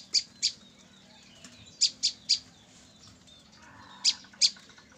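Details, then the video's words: Female Olive-backed tailorbird, trapped three days earlier and already calling. Sharp, high, clicky chirps come in quick pairs and triplets with short pauses, seven notes in five seconds, over a faint low hum. "prenjak lumut betina, hasil pikat 3hr langsung bocor"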